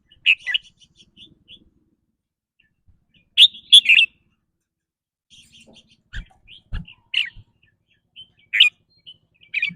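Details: Red-whiskered bulbul giving quick 'rik rua' song, which varies with its daily mood: scattered chirps, then a loud cluster of whistled notes, quiet pauses and further bright phrases, occasional low knocks.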